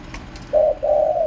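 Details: Spotted dove cooing: a short low hollow note, then a longer steady coo after a brief pause, both mellow and even in pitch against quiet background hiss.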